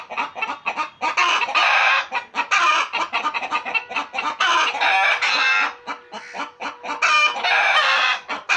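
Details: Several pet chickens at home clucking together in dense overlapping bursts, rapid and continuous throughout, with short harsh notes stacked over each other.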